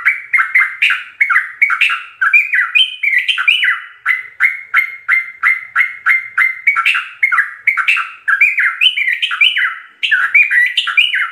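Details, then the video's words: Yellow-vented bulbul singing nonstop in a full, varied run of bubbly, liquid phrases, each note sliding up and down in quick repeated bursts without a pause. "Ropelan trucuk gacor full isian"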